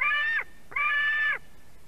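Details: Begging screams of a white-tailed eagle chick at a fish delivery, Durbe nest, Latvia, late afternoon of 31 August 2020: two loud, harsh, ringing screams about half a second long, each falling off at the end.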